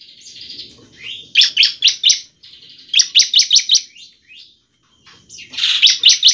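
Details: A Bar-winged prinia in semi-full song, a recording used as a lure to provoke other prinias into singing, gives a buzzy, wheezy phrase, then a run of loud, sharp, high notes at about five per second, repeated three times.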